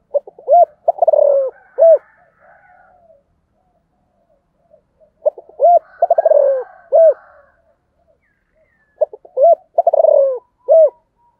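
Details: Spotted dove known locally as sấm thổ, cooing in gọi and thúc fashion. Three phrases come about five seconds apart, each a stuttering rapid burst falling in pitch between mellow low coos. Soft chatter sounds in the pauses.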